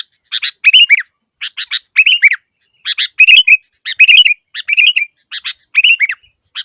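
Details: Lure recording of a sooty-headed bulbul: bubbly phrases of rapid chirps ending in a downslurred whistle, repeated in bursts with short pauses, nothing else audible.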